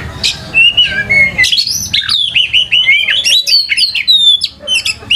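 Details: Oriental magpie-robin in full song as a lure recording to train young birds: rich, varied whistled phrases with sliding notes and harsh buzzy bursts, delivered in a rapid continuous stream with little pause.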